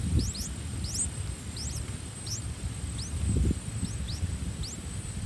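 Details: Nestling streak-eared bulbuls, three days old, in a nest on a water jasmine tree, fed by a parent pair; sharp upward-sweeping squeaks come in irregular clusters, with steady low background rumble and a faint constant high tone.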